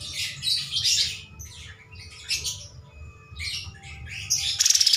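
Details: Kapas tembak bulbul in energetic master song: bursts of harsh chattering, squeaky phrases separated by short pauses, ending on the start of a rapid buzzy trill.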